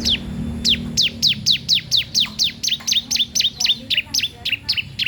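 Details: Young bar-winged prinia singing actively, kept as a tutor and lure for untrained birds: a steady run of sharp, high, downslurred chirps, about three per second, clear over faint low background hum.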